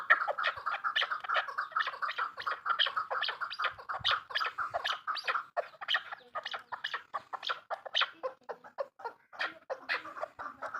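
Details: Female chukar partridge voice: a long run of raspy, clucking notes, dense and hurried at first, then thinning into more spaced, irregular chucks.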